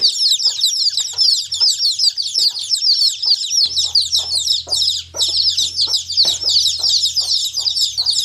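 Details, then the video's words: Baby chicks chirp in a steady, crowded chorus of high, sharp peeps, accompanied by light, irregular tapping clicks and a low steady hum in the second half. "The sound of chicks chirping"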